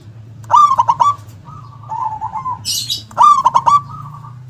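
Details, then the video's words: Local zebra dove (perkutut), a keen singer with a big, snapping 'kung' delivery. Two phrases of rapid punchy coos, each with softer trailing coos. A short hiss-like noise falls between the phrases, over a low hum. "perkutut lokal gacor suara besar nyentak KUNG power kencang"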